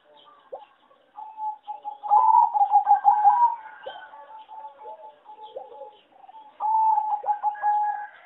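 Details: Farm-raised singing zebra dove kept for competition, regarded as a poor singer; a loud run of rapid pulsed cooing, then softer notes, and a second sustained cooing phrase near the end, over light chirping from other birds.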